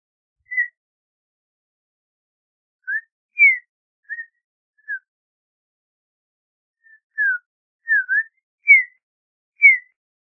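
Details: Audubon's oriole heard at lower volume, giving scattered short whistled notes, some falling and some dipping, with long silent gaps between phrases.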